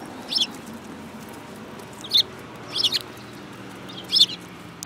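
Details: Sparrows, including one with a yellow bill, recorded 24 February 2018; four short sharp chirps spaced irregularly about a second or two apart over a steady background hiss.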